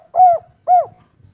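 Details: Spotted dove of local kuk 3 type giving two short, rounded, slightly falling coos about half a second apart, with soft low rumble beneath.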